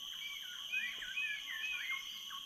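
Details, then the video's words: Several jungle birds at dawn at Tanjung Harapan dock, Tanjung Puting National Park, Indonesia, give quick whistled, slurred notes, overlapping one another, over a steady high-pitched insect drone. "Jungle Birdsong"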